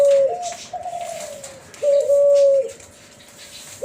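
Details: An F1 hybrid of a Kelantan spotted dove and a tangerine ring-necked dove gives smooth, flute-like coos, long, steady mid-pitched notes each with a slight lift at the start, in a quiet indoor space.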